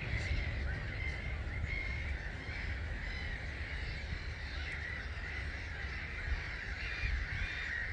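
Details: A huge flock of around 250,000 starlings departs its roost at dawn, 05:45, recorded from a hide at Gibraltar Point NNR in March. A steady, massed chattering hiss runs throughout, with a few sharper notes standing out above a low roar.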